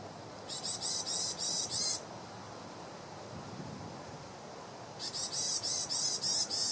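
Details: Varied tit giving ground calls in January 2014 at the East Gardens, Tokyo: two quick bursts of high, buzzy, nasal notes, each about five notes in a second and a half, over a soft low rumble.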